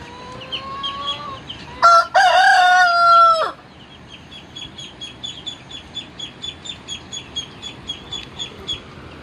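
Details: A Shamo fighting rooster gives one loud, hoarse crow of about a second and a half after a fainter, distant crow. High, rapid peeping follows at about three notes a second.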